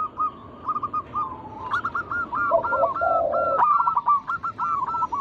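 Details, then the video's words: Local zebra doves singing, used as a lure to stir other doves into song: a run of short hooked cooing notes repeated rapidly, overlapping lower warbled rolls in the middle, with several birds calling together. "Pancingan burung perkutut lokal alam gacor suara mengundang bunyi langsung emosi"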